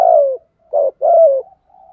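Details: Spotted dove cooing in the 'giọng thổ' style for decoy-bird training, 2024: a long, gently falling coo, a brief rounded note, then another long descending coo.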